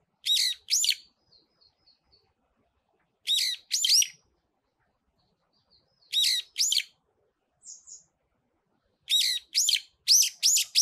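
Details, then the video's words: A brown-eared bulbul singing on top of a pine tree gives loud, shrill, squealing notes in pairs about every three seconds, with soft high chips between the bursts. "노래하는 직박구리"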